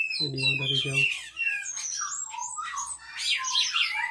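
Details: Asian pied starling with a Cililin-style imitation song, singing unprovoked in captivity: a man's voice briefly at the start, then varied squeaky whistles and chatter rising and falling.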